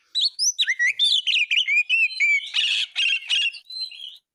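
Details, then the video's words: Prolific Oriental magpie-robin song used as tutor material: a fast run of clear swooping whistles, then harsh buzzy chattering notes and a final long, steady high whistle. "Masteran isian ful burung kacer gacor"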